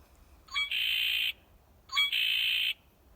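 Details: Male Red-winged Blackbird (Agelaius phoeniceus) giving its conk-la-ree song twice: quick stuttered rising notes, then a long, harsh, buzzy trill, over a faint low hum; often heard near water.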